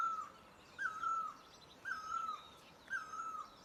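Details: Asian great barbet calling in measured repeats, each note dipping in pitch, while faint twittering of other birds sounds above.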